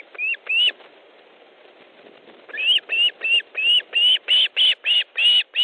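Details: Osprey at a nest in Estonia, 3 August 2014 at 15:30, during a fish delivery: two whistled upslurred notes, a pause, then a steady run of about ten bright rising 'kyew' calls in quick succession.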